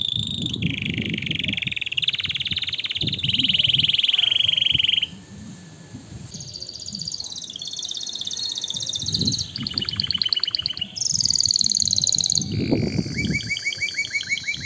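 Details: Canary song for stirring mating behaviour and tutoring chicks: a sequence of varied tours, including buzzy rolls, a long steady rattling trill and high ringing whistles, over a constant low rumbling background noise.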